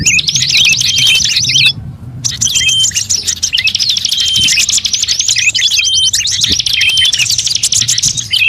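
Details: Bird lure track mixing calls of many birds, including magpie robin, shama, leafbird, shrike, drongo, prinia, bulbul and starling. Dense high chirps, sharp whistles and fast trills overlap continuously, with a brief pause near two seconds and a faint low hum beneath.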